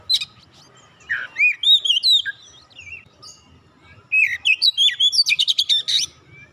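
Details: Oriental magpie-robin song, played to coax a silent magpie-robin into singing: two bursts of varied whistled, slurred phrases, rising and falling notes, ending in a rapid run of sharp, scratchy repeated notes.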